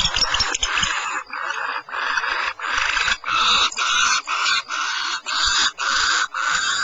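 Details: Barn owls at Starr Ranch, California, give rapid rasping hisses, about two per second. The rough bursts run almost continuously with only brief gaps.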